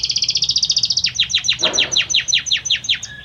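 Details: Male Belgian canary singing to the hen: a very rapid, even high trill of about twenty notes, shifting into a slower series of loud downward-sweeping chips.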